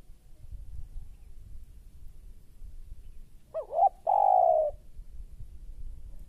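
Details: Spotted dove, said to be fierce, in a decoy recording for training birds: after quiet low background rumble, one phrase of two brief rising hoots and a longer smooth coo, then silence again.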